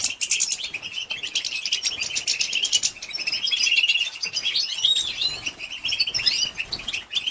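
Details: European goldfinch female calling to excite males; busy high chatter of chirps and trills, a buzzy rattle at the start, then continuous twittering.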